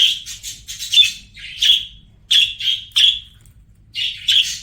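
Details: Budgie song: bursts of sharp, buzzy chirps and squeaks, some quick and grouped, separated by short silent pauses.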